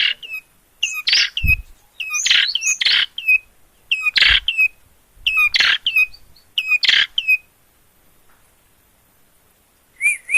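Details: Gacor long-tailed shrike, Gunungkidul, Yogyakarta: harsh rasping bursts alternating with short hooked whistled chirps, in clusters separated by a long quiet pause before a final doubled whistle.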